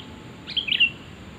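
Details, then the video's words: Sooty-headed bulbul call used as a lure for trapping birds: one brief bright phrase of three quick whistled notes, the first rising, then a short dip and a final clear note, over quiet background hiss. "Suara asli kutilang untuk pikat pasti nyaut"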